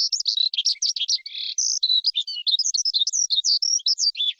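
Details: Continuous high warbling of a forest skylark, mixing quick chirps, a longer buzzy note and clear, level whistles in a varied, lively run, with no other sounds.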